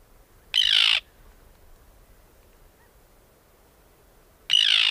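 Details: Arctic tern (Sterna paradisaea), call.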